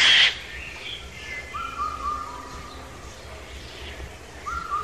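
A Eurasian jay gives a single harsh, rasping screech, followed by quieter whistled notes.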